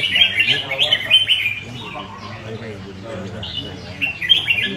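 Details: Caged red-whiskered bulbul giving clear whistled warbling phrases early on, a quieter stretch, then a few more rising notes. Low conversation continues in the background.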